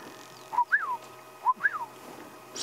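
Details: At sunrise on 29 February 2016 in Sabi Sand, South Africa, an oriole calls: two liquid whistled phrases about a second apart, each a short low note then a slurred rising-and-falling whistle, followed by a brief rush of noise.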